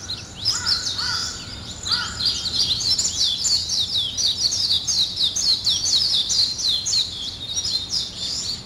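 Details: Birds singing in the morning: a few lower, clipped notes at the start, then a steady stream of high-pitched twittering and chirping from many birds.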